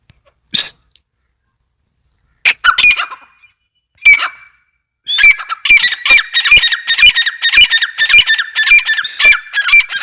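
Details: Grey francolin (teetar) voice: a few isolated squawks spaced by silence, then from about five seconds a rapid, dense run of harsh repeated notes, roughly two per second, continuing to the end.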